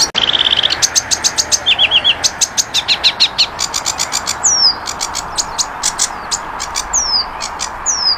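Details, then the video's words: Flycatcher known locally as sikatan londo, used as tutor song for training cage birds: rapid dry chip trill, then loud sharp clicks in a steady series with short trilled phrases and high down-slurred whistles. "Masteran Burung Saingan Berat Sikatan Londo"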